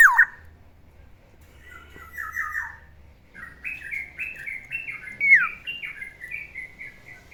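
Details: Pet black-naped oriole in the morning, giving a varied run of short whistled and slurred notes, some falling and some level. The phrases are strung together over several seconds with faint low hum beneath.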